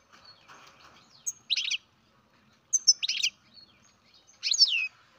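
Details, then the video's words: European goldfinch baby, bred in captivity, repeats short buzzy twittering chirps about every one and a half seconds, three bursts in all, over a quiet background with faint low murmur. "Καρδερίνα εκτροφής μωρό (Goldfinch carduelis baby"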